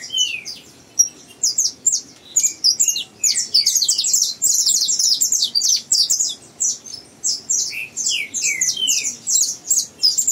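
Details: Juvenile saffron finch in captivity rehearsing its developing song: irregular strings of piercing high tweets packed together, separated by brief pauses and a few descending whistled slurs.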